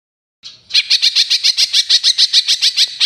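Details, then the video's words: Eurasian tree sparrow in a master recording used to train songbirds, its chirps serving as filler material for green leafbirds. It gives a fast run of about seventeen sharp, high chirps, evenly spaced, after a brief faint opening note. "masteran cucak ijo isian burung Gereja"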